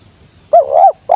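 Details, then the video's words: Spotted dove, locally tekukur, a wild bird giving the sweet jergot call: a single loud wavering coo sliding into a steady note, with the next phrase just starting. "Burung liar nya turun langsung jergot manis"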